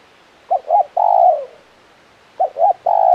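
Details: Spotted dove, a caged-style luring tekukur, cooing two short notes and one long sustained note, the phrase repeated after a brief pause.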